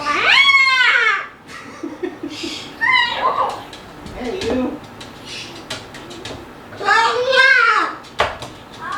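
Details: Male Moluccan cockatoo kept as a pet, talking and making noises indoors: strong arched harmonic calls at the start and again near the end, with mixed speech-like sounds and clicks between.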